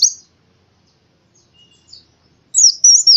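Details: Oriental white-eye in the morning: a short high chirp at first, near silence with faint thin notes, then a loud twisting whistled phrase at the end.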